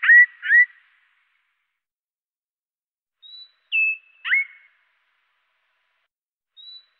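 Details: Great tit calls heavily slowed, sounding much lower: drawn-out whistled notes that dip and level off, in pairs with gaps, plus faint brief higher tones between them.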